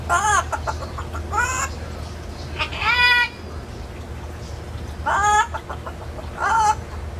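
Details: Indoor-aviary parrot that can talk but not whistle, caged while outside the aviary; four loud, nasal, harmonic word-like calls, each about half a second long, separated by pauses of one to two seconds.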